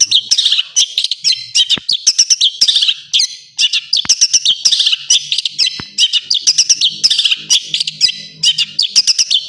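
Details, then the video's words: Long-tailed shrike master song with full filler phrases, for training other birds: a busy, unbroken medley of high chirps, twitters and harsh buzzy notes delivered in quick bursts throughout. "Masteran burung cendet terbaik full isian"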